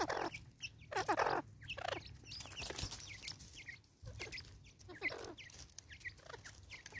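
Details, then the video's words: A female Natal spurfowl, angry, recorded in South Africa in 2024: loud grating cackles at the start, then quieter scratchy clucks spaced irregularly over a low background hum. "Lady bird angry"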